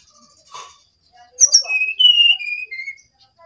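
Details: Bali brown-chested jungle flycatcher song: a rapid run of clear whistled notes stepping down in pitch, preceded by a faint short rustle, otherwise quiet.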